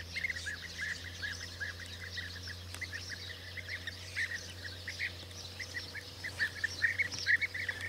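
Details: A flock of European bee-eaters at the start of the 2024 season gives rolling, liquid 'prruip' calls, many overlapping at a brisk pace, over a steady low hum.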